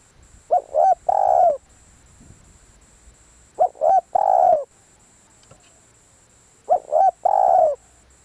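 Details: Spotted dove cooing: three phrases, each two short coos followed by a longer, louder drawn-out coo, repeated about every three seconds, with a faint steady high hum in the background.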